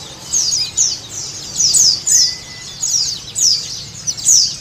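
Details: Sunda white-eye producing high, rapid chirping phrases of descending notes, in clustered bursts, played as a lure so a caged bird starts singing.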